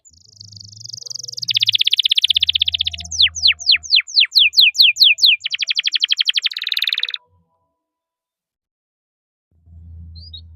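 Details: Canary song in several sections: a long buzzing rattle, a series of loud whistled downsweeps, then another fast rattling trill, followed by a few seconds of quiet with faint low hum.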